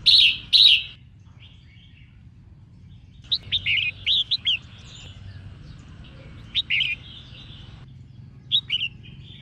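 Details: Female red-whiskered bulbul singing to excite males: two loud warbled bursts at the start, then scattered quick, sharp chirps and short trills in loose runs through the rest, over soft background hum.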